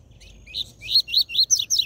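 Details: Seedeater song in the tui tui zel zel style, used to stimulate captive birds: a quick run of about six bright, buzzy, rising notes, each slurring upward, closely spaced and strengthening toward the end, against a quiet background.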